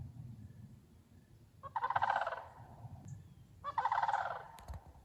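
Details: A flock of sandhill cranes calls loudly beneath a thundery September sky on a morning bog walk: two harsh, purring, rattled bursts, each about a second long, two seconds apart.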